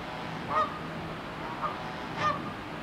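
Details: Quarrelling Canada geese give three short honks within three seconds, the middle one quieter, against constant low-level background noise.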